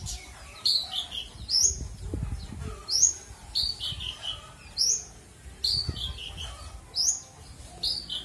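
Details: A kept Australasian bushlark sings its full repertoire of bright, high, chirping phrases about once a second, each short burst varied and slurred, over soft low thumps and background hum; recorded as a training song for other birds.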